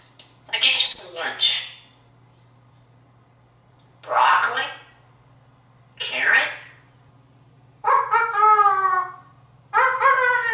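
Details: Talkative pet African grey parrot, a male hatched in 1997, kept indoors at a home in Texas. Several rough, speech-like bursts come first, then a run of harmonic, wavering squawks near the end in a quiet room with a low hum.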